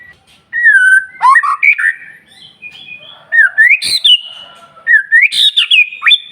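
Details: Energetic white-rumped shama song meant to stir rival shamas to sing: clear whistled slurs swooping up and down, a sudden harsh crack mid-phrase, then rising whistled notes in quick bursts.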